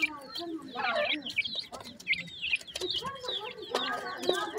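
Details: Feeding grey francolin chicks chirp in quick, high whistled downslurs, clustered in busy runs with brief pauses, over low clucks and faint background chatter.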